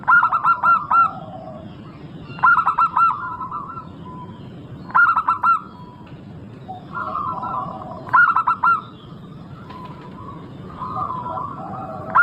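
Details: Local Indonesian zebra dove singing, used as a lure to make other zebra doves sing quickly: bursts of three to four clipped, hollow, rapid notes recur about every 2.5 seconds, with softer wavering tones between bursts over a low steady rumble.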